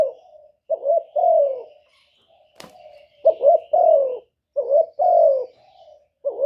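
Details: Spotted dove acting as a decoy to lure wild doves for trapping, cooing in low two-part phrases, a clipped note then a longer descending hoot; one sharp click cuts in partway through.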